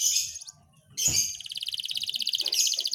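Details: Panda canary singing: a bright high note, then a fast, even, rattling trill of rapidly repeated high notes that continues steadily for about two seconds.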